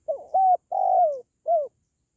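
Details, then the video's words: Spotted dove, its call used to lift the mood of pet doves or to lure wild birds: a clear four-note phrase of low mellow coos, the long third one falling, the final note short and curved. "SUARA PANGGILAN BURUNG TERKUKUR"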